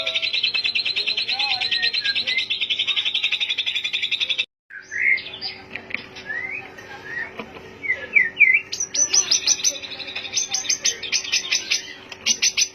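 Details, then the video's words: White-rumped shama song played as a lure to stir other birds into singing; a long run of rapid buzzy notes, a brief gap, then varied slurred whistles and fast repeated chips. "Pancingan murai batu 🔥 Naikan emosi burung auto ikut gacor"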